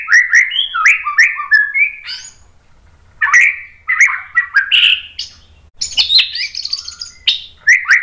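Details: White-rumped shama, a Medan-type bird, singing a varied full song meant to provoke other shamas to sing: rapid rising whistled notes, buzzy phrases and high chattering trills in bursts, with short pauses between.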